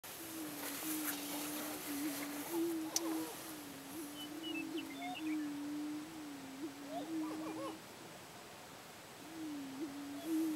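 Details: Prairie chickens near Wray, Colorado, on 2 April 2010 at 7 pm, on cattle ranch land: a steady low hooting drone from several birds, almost continuous with brief pauses, topped by occasional short higher cackles and faint distant chirps.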